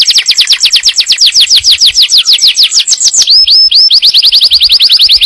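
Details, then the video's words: Yellow canary song for readying the female to breed and teaching fledglings: long series of quick descending whistles at several per second, brief rising swoops, then a fast high rolling trill. "تغريد كناري أصفر لتجهيز الأنثى وتعليم الفراخ"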